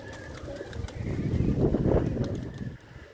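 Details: Pigeon cooing, low murmuring notes swelling and fading over a few seconds, with a light flutter of wings and a steady low background hum.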